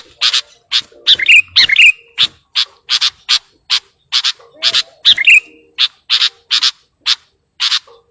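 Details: Sooty-headed bulbul singing actively to call a rival, giving a steady run of short, dry, buzzy bursts about every third of a second, broken by a few quick whistled warbles.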